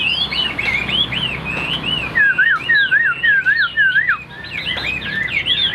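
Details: White-winged, white-tailed Chinese hwamei clinging to its cage, singing a high song: bright, rolling whistles, a rhythmic sequence of swooping slurred notes roughly twice per second, then a fast, jumbled warbling finish.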